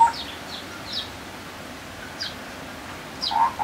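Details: Sri Lanka scimitar babbler (Pomatorhinus melanurus), endemic to Sri Lanka, giving short, hollow, low whistles at the start and near the end, with thin high chirps scattered between.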